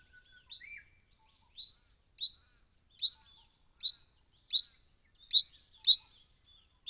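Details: Wild Brown Treecreeper in regional Victoria, Australia, at a pond where it drinks and bathes, camera-trap recording: high chirped notes near the same pitch, repeated roughly every two thirds of a second, with one lower note early on.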